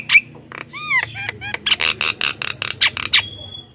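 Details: Black-winged myna (jalak kebo) morning calling used as a lure to draw wild mynas: a fast mix of harsh, rasping notes and a few clear whistled slurs, ending in a thin sustained whistle.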